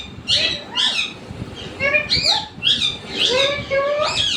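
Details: Household parrot giving a string of short harsh squawking syllables with layered harmonics, roughly two per second, some bending upward, against a faint steady background hum.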